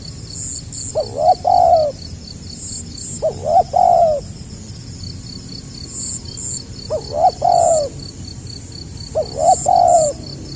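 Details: Spotted dove, 2020, 'gagap rapat selang nguku' song: four evenly spaced phrases roughly every two seconds, each with stammered short notes leading into a longer mellow coo. Insects chirp throughout.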